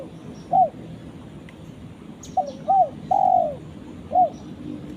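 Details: Calling out to its companion, a spotted dove gives an isolated coo, then a full phrase of two short coos and a long falling croo, and a final coo, with a faint sharp tick nearby.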